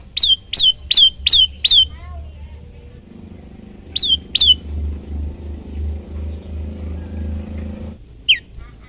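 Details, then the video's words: Loud 'tembakan' variation from a prenjak lumut prinia, used to train and lure other birds: five quick, high downslurred chirps, a pause with faint low traffic hum, then two more chirps and a single final note. "prenjak lumut gacor suara tembakan keras"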